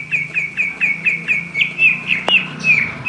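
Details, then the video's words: Oriental magpie-robin, ngobra singing: short sharp whistled notes repeated steadily about four times a second, with one sudden click midway and a faint low hum. "KACER POCIKU NGOBRA NGOBRA"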